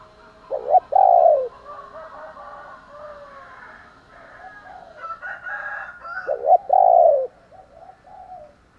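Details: Spotted dove giving a morning call meant to provoke fighting. Two loud, mellow coo phrases, each a short note followed by a longer descending one, about six seconds apart, with fainter bird calls between them.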